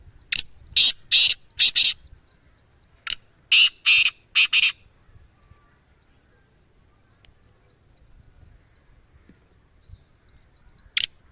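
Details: Black francolin, locally kala teetar, a strain named Gangas Sheedi Nasal and called a rare breed: loud, harsh grating notes delivered as two quick phrases of about four notes each, then a single note after a long pause.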